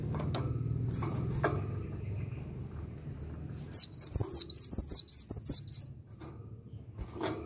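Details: Cinereous tit sings actively: after a stretch of low background rumble comes a two-second run of rapid, high, ringing two-note phrases, then quiet again.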